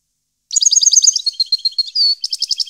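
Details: European goldfinch in 2015: a fast, bright run of high tinkling notes, a drawn whistled slur, then quick clipped twittering.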